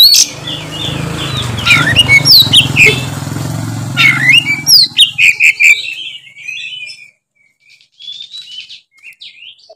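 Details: Oriental magpie-robin (kacer) in full, vigorous 'gacor ngeplong' song: rapid, varied whistled phrases with sharp rising and falling notes and quick trills, over a low engine rumble for the first half, then clearer, sparser phrases with brief pauses.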